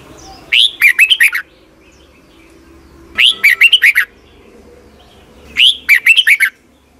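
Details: Red-whiskered bulbul in Thailand singing a morning training song for young caged birds; three evenly spaced phrases, each a rising whistle followed by rapid chirpy notes, every two and a half seconds, over faint low hum.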